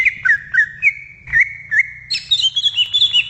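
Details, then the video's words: Wild greater green leafbird singing a series of clear downslurred whistles, evenly repeated, that breaks into a fast, higher, twittering phrase of rapid notes. "SUARA ASLI CUCAK IJO DI ALAM LIAR"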